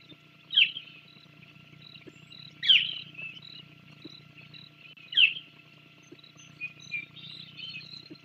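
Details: Island scrub jay visiting the Sauces bald eagle nest on Santa Cruz Island, Channel Islands National Park, on 24 January 2024: three loud, harsh, rasping calls about two seconds apart, then softer scratchy chatter, over a low steady hum.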